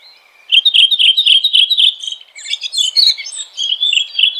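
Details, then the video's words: Red-throated thrush singing outdoors, a brisk run of short repeated twittering notes, about four a second, with a brief pause midway before a more varied, scratchy warble resumes. "Red Thrush Singing.(Turdus ruficollis)."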